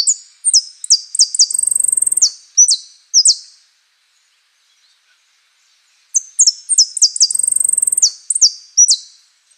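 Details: Two phrases of Saffron finch song in the style called "Osama", built from prio, golpe and pitada: high, clipped falling notes and a quick buzzy trill, with a few seconds of silence between the phrases.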